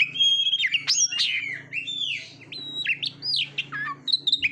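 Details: Oriental magpie-robin song used to train competition birds: long, clear sustained whistles and swooping slurs, some held steadily, over a faint steady low hum.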